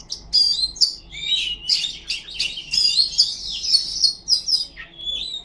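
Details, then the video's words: Oriental magpie-robin, called kacer, singing ngipas: rich, rapid high warbling mixed with clear whistled slurs and sharp chips, nearly continuous for several seconds, with a faint low pulsing sound behind. "Suara burung kacer ngipas thes best plong"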